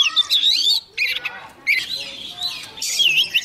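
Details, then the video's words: Young Oriental magpie-robin singing eagerly as a wild bird nears. Loud, rapid phrases of whistles, chatters and sliding notes are broken by short pauses, with soft talking in the background. "Choè than non lên hót cực sung khi bổi đến gần"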